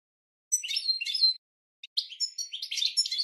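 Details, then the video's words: For training cage birds, a goldfinch gives a short twittering phrase, then falls silent apart from a brief click. A second lively run of chirps and slurred notes follows, with no background. "Goldfinch 12h Training Song"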